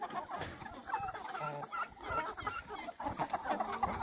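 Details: Young chickens of several Russian breeds, including Yurlov Crower and Oryol and Livny calico, hatched from early April 2020; dense overlapping clucks and soft chatter from a flock, short rapid notes throughout.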